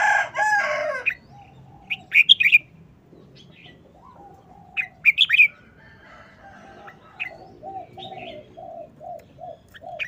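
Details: Red-whiskered bulbul, short fast wild-style song: clear slurred whistled phrases at intervals, following a loud harsh crow-like call at the start, with soft low clucking notes in the background.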